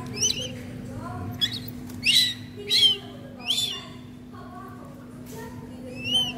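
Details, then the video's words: Young northern goshawk being hand-fed in captivity in Vietnam, received as a gift on 3 June 2019; a run of thin, high, downslurred squeals in short bursts, with a steady low hum and faint background murmur. "Baby Goshawk feeding - Nuôi chim ưng"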